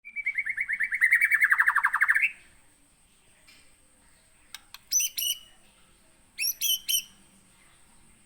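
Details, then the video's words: Captive white-rumped shama kept in Aceh, Indonesia, originally trapped in 2017 at Aih Ilang (Sungai Merah), Pining, Gunung Leuser area: a loud rapid trill of repeated notes sliding upward, then silence and two bursts of short sharp chips, with a faint steady high whine. "MURAI BATU ACEH GUNUNG LEUSER"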